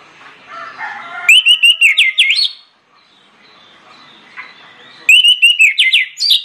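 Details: Two bursts of ringing orange-headed thrush song, played as a lure to trigger other birds: each starts with a sweet whistle and breaks into fast, buzzy, repeated rising notes, separated by quiet murmuring chirps.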